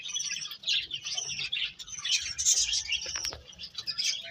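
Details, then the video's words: High, excited chirps from a group of birds overlap into a busy twittering, with a few sharp, clicky notes near the end. "Cute Birds Chirping Sounds"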